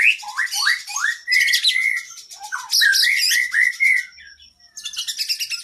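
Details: Kacer, the oriental magpie-robin, in an energetic masteran song used to train caged birds: a series of rising slurred whistles, then harsh buzzy bursts and repeated upslurred notes, a short gap, and fresh high chatter.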